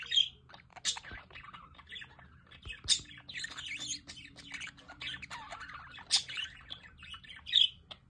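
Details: Aviary budgerigars beside a solar-powered fountain keep up steady scratchy chatter with frequent high, sharp squeaks breaking through the flock's buzzy warbling.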